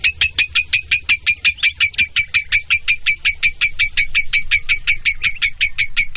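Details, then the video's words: A lovebird gives a fast, steady run of shrill, squeaky chirps, about five a second, over a low background hum. "Lovebird given 1 minute Hattrick | BIRDSONG"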